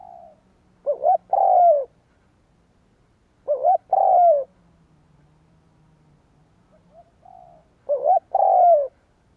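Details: Spotted dove cooing a full song, played to lure wild doves; soft, low, hollow phrases of a short double note followed by a longer falling coo, repeated about every three and a half seconds, with a faint low hum behind.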